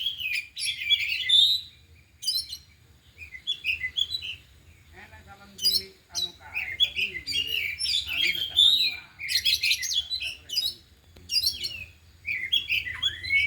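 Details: Four oriental magpie-robins singing in an afternoon training session, delivering learned fill-in phrases: loud bursts of varied whistles, clicks and scratchy trills separated by short quiet gaps, with faint low murmuring in places.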